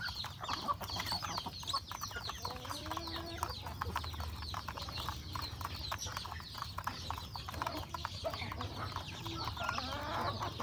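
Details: Domestic chickens at a rural home, roosters with hens, feeding at breakfast time; many thin descending cheeps overlap nonstop, mixed with rapid tapping of beaks on food and a constant low rumble.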